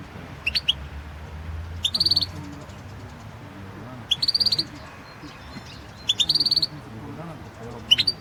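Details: European goldfinch in a 2016 world championship song recording, delivering bursts of fast, high, metallic twittering roughly every two seconds, each lasting about half a second, against low background rumble.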